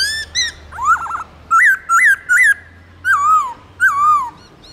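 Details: A white-browed laughingthrush sings its forest-style song loud and clear, a string of about eight whistled notes: short rising-falling slurs repeated in threes, then long phrases gliding downward, over a soft low hum.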